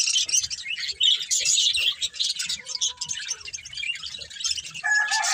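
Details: Budgerigar breeding pair warbling in a dense, chattering, high-pitched flow of twitters, ending with a louder, harsher squawk-like note.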